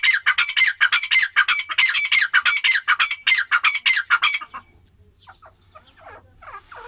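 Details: Female grey francolin (teetar) calling: a fast, rhythmic string of loud, harsh notes lasting over four seconds, then fainter calling with a low hum behind.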